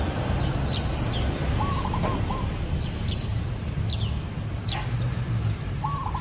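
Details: Zebra dove delivering two brief, rapid, stuttering coos in the mid range, about four seconds apart. Thin high-pitched chirps from other birds and a steady ambient hiss fill the rest.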